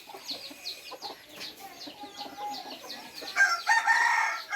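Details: Small birds chirp in rapid repeated notes, then an F3 red junglefowl crows loudly and raspily over the final second.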